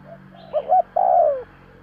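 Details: Single close spotted dove phrase for luring: a soft lead-in coo, two quick coos, then a long, smooth croo sliding downward, over a faint steady hum.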